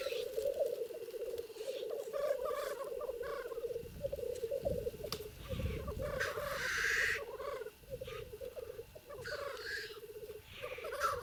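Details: Black grouse at a lek in the Trans-Urals, in natural habitat, with rival males fighting: a continuous low bubbling, cooing murmur rolls on in rhythmic waves, with occasional sharper hissing or wing-beat noises breaking through.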